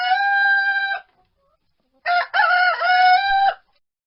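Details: Rooster crowing: a short, loud, harmonic call cut off after one second, then after a pause a second longer crow with a stuttering start and a drawn-out, steady middle ending abruptly.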